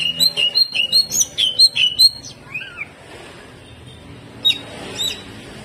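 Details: Greater green leafbird song from a caged bird, harsh and varied: quick repeated sharp whistled notes about two and a half per second, a lower slurred note, then a pause and brief high chirps.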